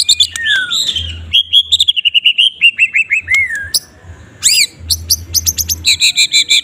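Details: White-rumped shama, Medan murai batu, in a loud close kretekan song for morning masteran; descending series of clear whistled notes, a sweeping upward whistle, then rapid ringing chips, faint low hum underneath.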